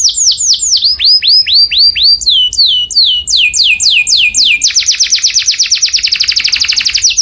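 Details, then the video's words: A canary, sung loud for other birds to imitate, delivers evenly spaced upward-hooked whistles that speed up into a fast, accelerating series of down-slurred notes, bright and high throughout. "O SOM DO CANÁRIO SOM ALTO DE OUTRO PÁSSARO PARA IMITAR"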